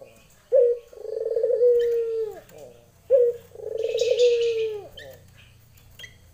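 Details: Two lenjeh-style calls from a female Barbary dove summoning a male, about three seconds apart. Each is a clipped opening note followed by a vibrating, rolling coo. A brief high buzzy burst overlaps the second call.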